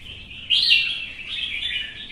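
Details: Short burst of red-whiskered bulbul competition song: one loud, bright warbled phrase that swells suddenly, then trails into softer rolling whistles.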